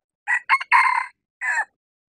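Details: Crow of a male red junglefowl used as a decoy for luring wild junglefowl in mountaintop bamboo forest. It is loud and harsh, with two quick opening notes and a drawn-out middle, then a detached short final syllable.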